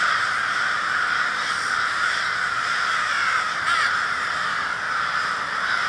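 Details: A flock of crows in Minneapolis, Minnesota, on February 20, 2020, keeps up a constant chorus of overlapping raucous caws. One sharper, louder burst cuts through briefly near the middle.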